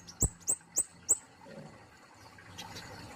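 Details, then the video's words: Four crisp, very high downslurred notes from a plain flowerpecker, evenly spaced with dull knocks, followed by quiet low rumble. "KICAUANNYA BELUM BANYAK DIKETAHUI || BURUNG KEMADE POLOS"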